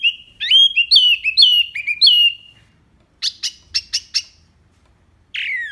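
Ashy tailorbird singing a quick run of bright, chirpy whistled notes, then five sharp, clipped chips and a final down-slurred note; no other sounds.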